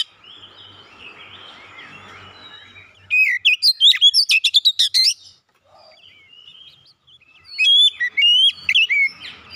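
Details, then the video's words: Magpie-robin (kacer) in a lure song for a quiet bird: soft varied warbling at first, then a loud burst of rapid sharp notes, silence, and later a run of whistled rising notes. "KACER MACET BUNYI LANGSUNG NGEPLONG GACOR SEKALI PANCING"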